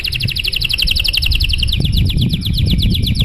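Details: Long, fancy canary song meant to make other canaries sing: a steady rapid series of repeated chirping notes with a high ringing layer, over continuous low background rumble.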